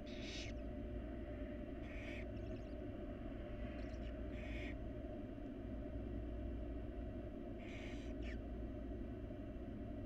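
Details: Wild barn owl young begging while being fed by their mother in a nest box: scattered hoarse hissing screeches and faint clicks, with a long quiet gap, under steady low rumbling noise.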